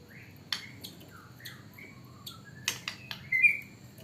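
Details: White-rumped shama singing with mimicked hanging parrot phrases: clear whistled notes sliding down and up, a few short flat whistles, and sharp clicks, ending in a brief bright rising whistle; a faint low hum underneath.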